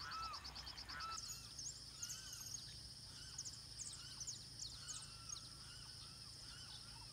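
Shorebirds give many short, arched calls in the mid-high range, overlapping steadily, over a constant high insect-like hiss and a low background rumble.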